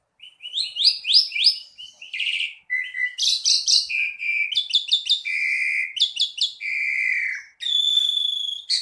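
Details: Jalak suren, the Asian pied starling, pouring out a gacor song: a rapid jumble of sharp chirps, rasping buzzes and sustained steady whistles, packed densely with almost no pauses.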